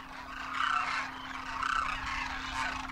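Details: Wild Demoiselle cranes, adults and first-year young, massed in winter in Rajasthan, India, trumpeting while flying; a thick chorus of overlapping, throaty rolling calls swells twice, with a steady low hum beneath.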